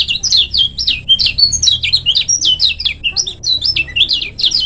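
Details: Lombok lemon-bellied white-eye in full, active short-speed song for training other birds: a continuous fast chatter of high, sharp, slurred whistles, each note flicking up then dropping, packed several per second with barely any pause.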